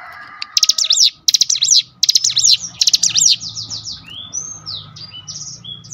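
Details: Cinereous tit song from a provoking lure recording: three fast clicking, whistled phrases early on, then a series of soft, thin, descending whistles trailing off.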